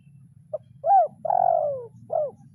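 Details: Spotted dove, trained lure bird, calling a rival in kuk 0-1 style: one full phrase of a short clipped note, a loud arched coo, a long drawn falling coo, and a brief arched closing note, low hum behind.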